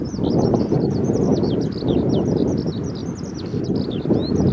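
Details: Lark by the Tama River singing a continuous high, rapid warble of twittering, trilled and slurred notes with no pauses, over a loud steady roar of wind.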